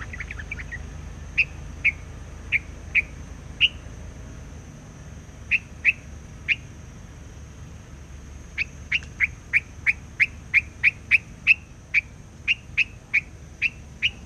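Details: Forest singing by a white laughingthrush lure bird set out for trapping, calling without stopping: spaced sharp chirps, a pause, then a long quick series of repeated clipped notes, over a low background hum.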